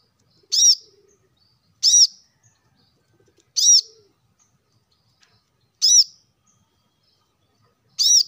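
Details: Plain-throated sunbird played to encourage caged birds to sing: six evenly loud, piercing arched chirps spaced about 1.2 to 2.3 seconds apart, with faint low murmurs between them.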